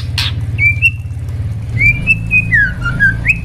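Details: Captive white-rumped shama, a young speckled bird among them, singing for training purposes: a string of level and swooping whistles, several dipping then rising, over heavy low hum.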